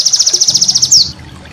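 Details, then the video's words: White-eye master song for training cage birds: a brisk trill of about thirteen even high pulses ending in a single louder descending slur. "masteran burung pleci"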